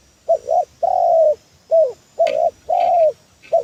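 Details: Spotted dove call used as a lure for trapping birds; a series of low cooing notes, some short and rising, some drawn out and level, in an irregular sequence with brief gaps.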